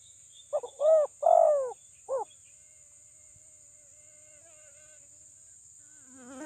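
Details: Spotted dove lure recording with a big voice, used to provoke rival doves. Four loud, hoarse cooing notes come within two seconds, the third long and arched. Quiet follows, with a steady high electronic whine throughout.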